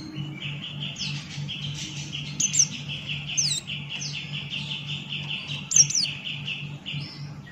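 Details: Buxton's white-eye singing continuously: a rapid string of short, buzzy whistled notes at a steady pitch, punctuated by occasional sharp high chirps, over a low constant hum.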